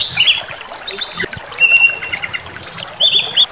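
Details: Brown-chested jungle flycatcher provocation song: fast staccato series of sharp high notes, a long steady whistle with ticking accents, then thin sustained high whistles and a short warble.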